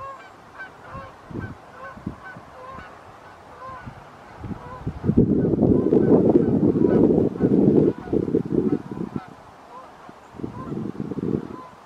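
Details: Evening flight of Canada geese, summer or fall 2020: scattered honks at first, then a loud dense burst of many birds honking together in the middle, fading to a few calls before another brief swell.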